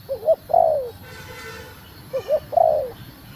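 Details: Female spotted dove calling to stimulate the male, giving two paired coos, each a brief wavering note followed by a drawn-out descending coo, with a soft rushing noise and faint tone between them.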